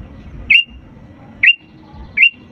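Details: Sooty-headed bulbul singing energetically, used as a lure to prompt reluctant birds to sing: three short, bright whistled notes, each with a quick upward flick, spaced about a second apart over a low background rumble.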